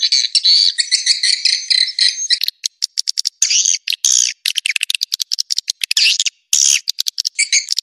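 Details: Edible-nest swiftlet lure call for roosting: about two seconds of continuous high trilling chatter, then irregular quick clicks mixed with short buzzy twittering bursts.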